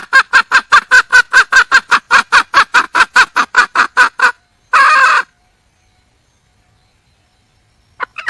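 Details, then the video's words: Calling for a mate, a wild red junglefowl hen gives a fast, even series of about eighteen clucks over four seconds, then one harsher burst and long silence. "le bruit d'une poule sauvage,เสียงไก่ป่าร้องหาถู่หาตัวผู้,ສຽງໄກ່ປ່າຮ້ອງຫາຄູ່ຮັກ, poj qaib qus see"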